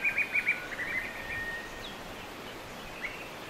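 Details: A Grey-breasted/Kerala Laughingthrush (Trochalopteron fairbanki), Western Ghats hills south of the Palghat Gap, southern India, gives a quick burst of six or seven bright, mid-high chirps ending in a short held whistle, then faint chirps over soft hiss.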